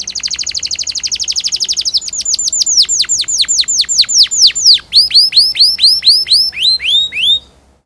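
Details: Caged canary song used as a lure to coax young canaries into practising their singing: a fast high trill of rapid notes, then repeated loud downward-sweeping whistles, about two per second, ending in rising hooked notes.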